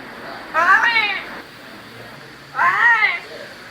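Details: A female pet parrot, trained over many days, calling its owner's name indoors; two loud, arched, voice-like utterances about two seconds apart with a quiet pause between.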